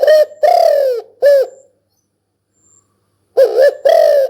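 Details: Spotted dove calling: loud, rich, hoarse coos delivered in a group of three, a pause of nearly two seconds, then two more coos.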